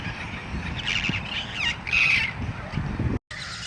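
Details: Amazon parrots, possibly yellow-headed among them, in a park in South Texas where hundreds flock, perched on wires and trees at sunset in spring, give harsh squawking calls with rising and falling raspy notes over a low rumble.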